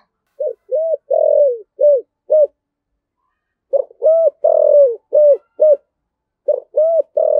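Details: Spotted dove giving a luring call in the 'giọng thổ' voice style: clear, low, hooked coo notes in quick bursts of four or five, broken by pauses of about a second, with no other sounds.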